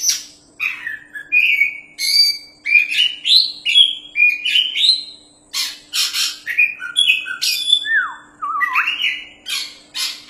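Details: Vigorous singing from a champion Oriental magpie-robin kept for tutoring other birds: a rapid, unbroken run of varied whistles, rising and falling slurs and harsh scratchy notes, each phrase lasting under a second, with a soft constant hum underneath.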